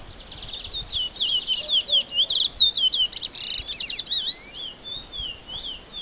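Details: Chestnut-bellied seed finch, called curió, singing a fluting, warbled song of rapid rising and falling whistled notes, continuous for several seconds, over a steady high insect drone.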